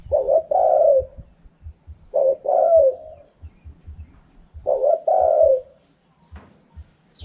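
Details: Three evenly spaced phrases of spotted dove cooing in the wild khaham pa style, each a double-note pickup and a drawn-out husky coo. Faint low thuds are heard between them.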